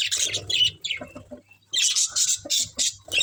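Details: Budgies feeding on greens make bursts of sharp, high chirps and squawky chatter, pausing briefly before another run of quick scratchy notes.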